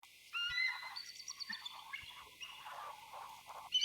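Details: A pair of bald eagles communicating, trading thin, high chittering and piping notes in quick, uneven bursts over a soft murmur of background noise.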